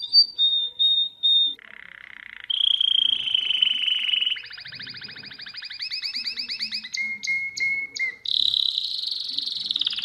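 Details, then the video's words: Domestic canary song to train young birds: a high whistled note, a low buzzy roll, sustained trills, fast repeated pulsed tours and a long high rolling trill at the end. "اسطوانة تغريد الكناري الاصلي لتعليم الفراخ Chant Canari"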